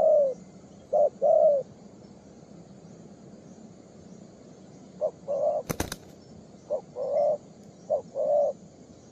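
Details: Young spotted dove cooing in soft, low, hollow phrases, each a brief note followed by a longer coo. A few phrases are spaced by pauses, and a sharp click is heard in the middle.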